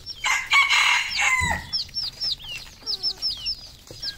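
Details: Red junglefowl on a farm in Cambodia: a loud harsh rooster-like crow in the first second and a half, then many thin high chirps and short downslurred whistles from small birds.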